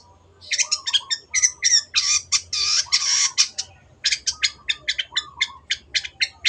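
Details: Long-tailed shrike singing energetically for caged-bird training: dense runs of sharp, harsh chattering notes, then a quick evenly spaced series of clipped notes, over a faint low hum.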